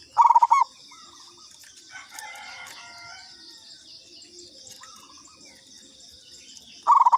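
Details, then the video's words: Local zebra dove lure call: one short burst of rapid coos opens, then a long stretch of faint chirping birds and continuous high insect buzzing, and a fresh burst of coos starts at the very end. "Pancingan Perkutut lokal katuranggan"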